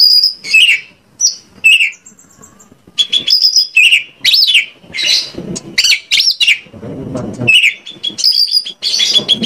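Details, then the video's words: Lure song of a white-rumped shama in Indonesia, meant to make other shamas answer: bursts of sharp, bright whistles and fast slurred phrases, with a short quieter stretch early on. "PANCINGAN KACER AGAR ON MAU NGOBRA !! KACER MANAPUN PASTI LANGSUNG NYAUT"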